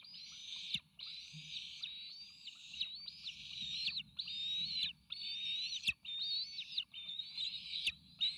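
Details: Young bald eagles, three nestlings nearing fledging, beg as food is delivered at the Sauces nest on May 29 2018, captured by an eagle cam. Steady run of long, high, slurred whistles, each rising then dropping, repeated almost without pause, fairly soft.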